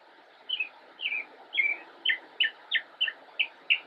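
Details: Immature northern mockingbird singing from a bush in Cabarrus County, North Carolina, on 10 October 2016: a series of about nine short downslurred chirps spaced roughly every third of a second after a brief pause.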